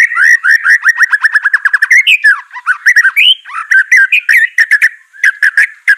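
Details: White-rumped shama song for training a reluctant bird to sing: a quick rattling series of short repeated notes, then looping slurred whistles and a closing string of clipped chips.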